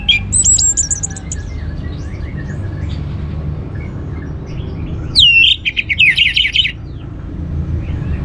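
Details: Orange-headed thrush song, played as a lure to get other birds singing. A short high whistled phrase opens, then a loud burst of rapid, varied, slurred whistles and trills midway over a steady low hum.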